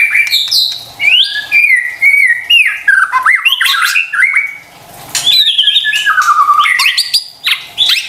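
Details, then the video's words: Lure song of a white-rumped shama, meant to set stressed, quiet kept birds singing: fast run of clear whistles and slurred notes jumping between pitches, nearly continuous with one short lull midway. "PANCINGAN murai batu STRES dan MALAS BUNYI seketika LANGSUNG nyaut dan GACOR dengar suara INI"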